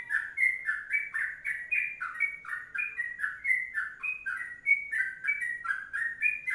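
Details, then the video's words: Long rolling 'ropelan' song of an energetic Sooty-headed bulbul: a rapid, unbroken stream of liquid whistled notes alternating higher and lower, several per second, clean and without background sounds. "Masteran Trucuk Kongslet Panjang"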